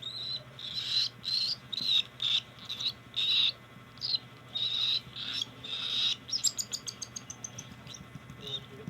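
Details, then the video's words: Cockatiel begging at hand feeding: short raspy calls repeated about twice a second, followed by a rapid run of crisp clicking ticks. "Cockatiell Hand feeding 2025"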